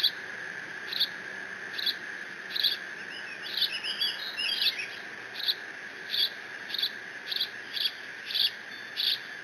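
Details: Bald eagle eaglet mantling its father's fish at the Decorah nest on 30 June 2017, no siblings present; evenly spaced shrill squeaks, a mid-section of tumbling, wavering chitters, then squeaks resuming, all over a constant hum.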